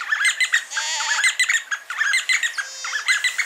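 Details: D'Arnaud's barbets calling and duetting near Lake Baringo, Kenya: a dense, rapid run of repeated chattering notes in quick rhythmic pairs, with a few drawn-out tonal whistles woven through, loud and close throughout.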